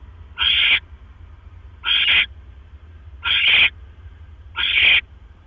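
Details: Night-time barn owl nest, 12 October 2015 at 1:09 AM, during a mouse delivery by the male: four even, harsh hissing bursts of roughly 0.4 seconds, spaced about 1.4 seconds apart, with a low constant hum beneath.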